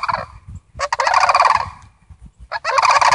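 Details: Sandhill Cranes, a family on a visit, give a chorus of harsh, pulsed rolling calls in three bursts, the middle one longest, voices overlapping.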